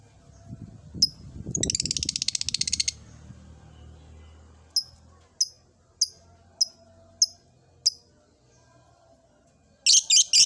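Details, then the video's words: Caged lovebird starting its ngekek song in an old cage: a buzzy, rapidly pulsed rattling trill of about a second, then a string of evenly spaced sharp high chirps and a final loud triple burst; low rumbling early on. "Suara burung Lovebird "Kicauan Di Sangakar Tua""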